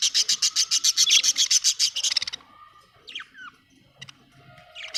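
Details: Happy budgerigar chirping: a quick run of rapid, high, raspy chirps lasting two seconds, then softer warbling notes and a short whistled slur.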